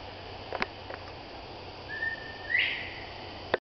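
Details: A Northern Bobwhite, one of four quail in brush at a flatwoods preserve in Abita Springs, Louisiana, whistles a single clear bob-white phrase: a level note sweeping sharply upward at the end, with faint clicks before and after.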